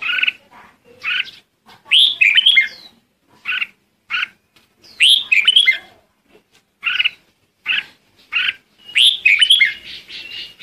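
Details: Red-whiskered bulbul calling the flock, mixing many quick sharp chirps with several richer warbling whistled phrases, loud and close, steady through the passage.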